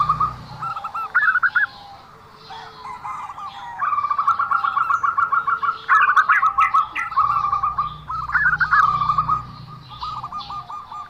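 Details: Zebra dove with an unusual voice: rapid trilled cooing phrases, rolling bursts of short notes repeated in series with brief pauses between, a low hum underneath.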